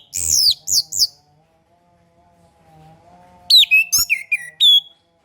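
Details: Song of an orange-headed thrush, used as a master recording for birds just learning to sing or low in breeding drive: quick high, looping whistled notes, a pause over a faint steady hum, then a rapid string of descending whistles.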